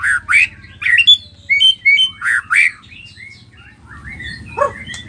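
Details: White-rumped shama of the Nias form with spotted plumage, in full song: loud slurred whistles and rich phrases between one and four kilohertz, bursts every half second or so, with a low steady hum underneath.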